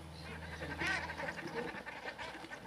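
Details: Common shelduck fighting on Two Tree Island, Essex: harsh, rapid quacking calls with a loud burst near the middle, several birds calling over one another, low steady hum underneath.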